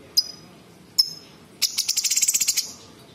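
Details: Cucak cungkok bulbul singing in a mimicking style with sharp bursts copying small birds and insects; two single high chirps, then a fast ticking trill of about a dozen bright, high notes.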